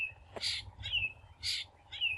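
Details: Long-tailed Shrike (Lanius schach) near a house: two harsh, rasping bursts about a second apart, each followed by a thin, falling whistled note, over a faint low rumble.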